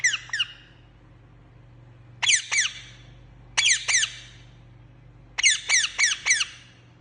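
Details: Captive green parrot calling in bursts of two to four loud, grating screeches, each burst spaced a second or more apart, with a constant low electrical hum behind.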